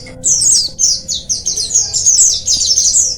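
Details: Oriental white-eye colony sound meant to encourage lazy birds to sing: a dense run of very high, slurred descending chirps, packed closely together, by several birds at once.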